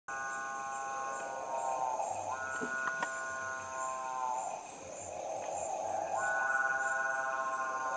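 A Capuchinbird gives two long, low, mooing calls about four seconds apart, each a rich droning moan that swells and fades, over a steady high insect hum.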